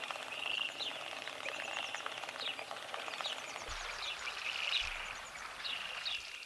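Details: Western grebes during courtship display, gliding and running on water, give high, grating two-part calls about once a second, several birds overlapping, over a steady hiss of wind or water.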